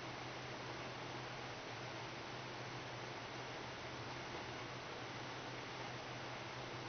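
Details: Steady broadband hiss with a low constant hum throughout, like a fan or running machinery, and no animal voice at all.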